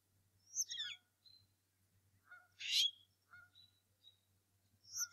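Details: Bald eagle father meeting an intruder at the Decorah North Nest, March 2018 morning, recorded by nest cam. Separate high shrill squeals and a harsh rasping shriek, with short thin whistles between them, over low hum.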